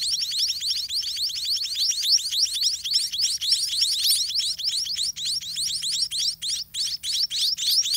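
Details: Garden-nest white-rumped munia chicks, still hungry, keep up a fast, steady chatter of high thin chirps sweeping downward, many voices overlapping into a continuous shrill wash with a few short breaks near the end.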